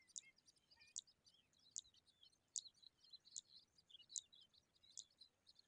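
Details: Young Eurasian skylarks in the sun repeat piercing high chips about every three-quarters of a second, with softer squeaky notes between them over a quiet, hissy background.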